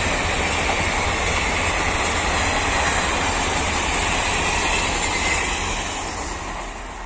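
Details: Loud steady roar of a passing train with rapid clattering wheels, slowly fading at the end, with no animal calls.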